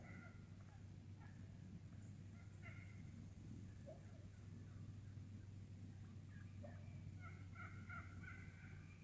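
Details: Wild turkey flock feeding in the woods and calling a lot; scattered soft clucks and short purring notes come at irregular intervals, some in quick clusters toward the end, over steady low background hum.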